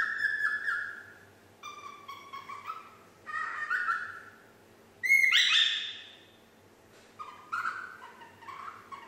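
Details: Nine-month-old pet parrot, female, learning to whistle Yankee Doodle; wavering whistled phrases rising and falling, a loud harsh whistle burst midway, then lower warbled notes, with steady room hum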